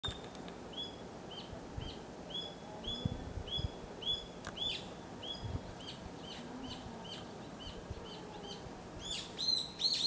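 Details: Eastern buzzard nestlings close to fledging, 2022, give thin, high piping notes roughly twice a second, with sharper overlapping calls near the end over a steady rural background hiss.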